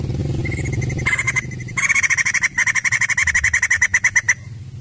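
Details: White-crested laughingthrush in full, prolific song: a rapid, steady rattle of harsh repeated notes, roughly fifteen per second, in bursts broken by short pauses, over a low steady hum.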